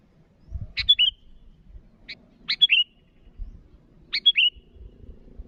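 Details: Sooty-headed bulbul calling to rivals: three short phrases, each a sharp high note followed by a quick bubbly whistled flourish, spaced about 1.5 seconds apart, over faint low rumbling.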